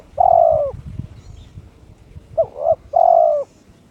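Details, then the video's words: Kept turtle dove in breeding condition, calling to challenge a rival: a long, steady low coo, then a short two-part coo followed by another drawn-out coo, with faint low rumbling behind. "My turtle dove chirps challenging its opponent"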